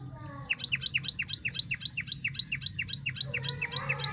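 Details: Canary song meant to trigger singing in a reluctant canary: a rhythmic run of paired hooked chirps, high note then lower note, repeated about four times a second, over a low background hum.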